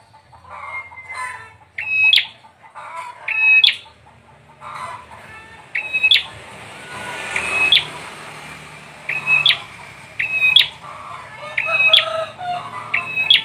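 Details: Bar-winged prinia, called peranjak or ciblek, singing quick repeated whistle-and-buzz phrases that grow more frequent toward the end, with mixed softer chirps and background noise at the start.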